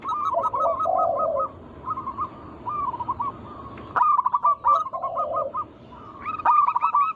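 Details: Zebra dove lure recording of local birds, intended to make other doves sing: repeated quick hooked notes in bursts of five to eight, interleaved with lower soft coos and short silent gaps.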